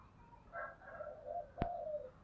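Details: Spotted dove in the 'giọng thổ' style, calling to provoke a contest: a muffled, drawn-out coo phrase over background hiss, broken by one sharp click near the end.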